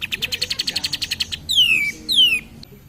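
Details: Lively cream-vented bulbul song serving as a lure to stir other birds: a quick rhythmic rattle of a dozen-plus pulses, followed by two loud clear whistles sliding downward, each about half a second long.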